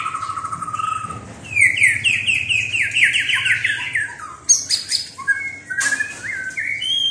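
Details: White-rumped shama: a low whistle, then a fast run of repeated slurred notes climbing in pitch, followed by separate whistles and high sharp notes.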